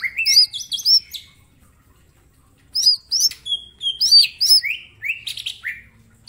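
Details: Green leafbird, a small bird kept for training other birds, sings full varied phrases: hooked whistled notes high up, a rising note, then a pause and more looping whistles with falling slurred phrases.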